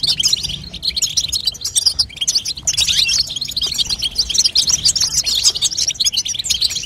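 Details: A female European goldfinch gives the batbata call to strengthen a young bird's singing. Busy, high twittering chirps run continuously, thinning briefly around the middle before surging again.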